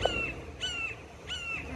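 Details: Red-shouldered Hawk, one of two crying and flying over a gas station in Oviedo, Florida, possibly calling to a mate, gives three clear, high, slightly downslurred screams in under two seconds, about one every 0.6 seconds, over a low traffic hum.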